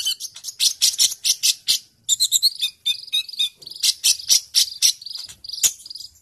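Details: Sunbird singing vigorously in a fighting mood, recorded as tutor material for training other songbirds: dense bursts of very high, sharp twittering chips and trills, about four per second, broken by brief pauses.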